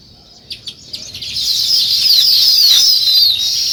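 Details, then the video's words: A few sharp chirps at morning give way to a swelling, continuous high twittering chorus of sparrows, with weaver birds building a nest close by. "Sparrow Morning Chirping Sounds"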